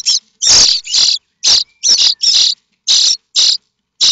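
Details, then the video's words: Starling chicks in the nest at Théding, France, in May 2024, springing up at a possible parent's arrival with food; loud, dense, rasping shrieks in an irregular overlapping chorus of about ten bursts. "Les étourneaux sansonnets de Théding"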